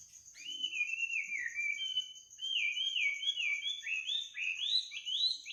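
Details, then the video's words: Night song of a bird at midnight: a clean sequence of looping whistled notes, drawn-out slurs then quicker rising strokes climbing higher toward the end, over a steady faint high tone. "kicau burung di tengah malam"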